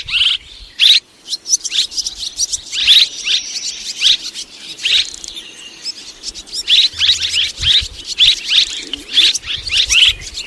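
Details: Swiftlets of two kinds calling together in a 2023 recording: bursts of shrill twittering chirps come in clusters, pausing briefly midway before a denser run of high, clicky notes.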